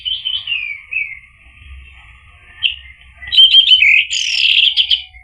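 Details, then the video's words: Lure song of an Orange-headed thrush, meant to make a quiet bird respond: soft descending whistles first, a brief pause, then a loud burst of rapid, scratchy warbling mixed with clear whistles. "PANCINGAN ANIS MERAH agar NYAUT jadi BUNYI GACOR ikut NGEPLONG"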